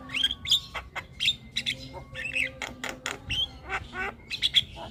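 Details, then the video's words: Javan myna singing vigorously, prompting nearby birds to call too: dense mix of harsh squawks, whistled slurs and chirps packed closely together with little pause. "Jalak Kebo gacor Tak Kenal Waktu Bikin Ribut Burung Lain Ikut Bunyi"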